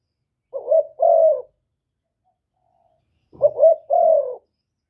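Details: Spotted dove calling to provoke rival birds, Cà Mau, Vietnam, recorded without background noise: two low coo phrases, each a short wavering double note followed by a long steady hollow coo, separated by about three seconds of silence.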